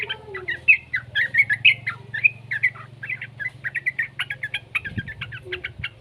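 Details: Young yellow-vented bulbul singing as a lure to get other bulbuls to sing: a rapid run of short, bubbly chirps and slurred notes. Some are sharper or rising. A steady low hum runs underneath.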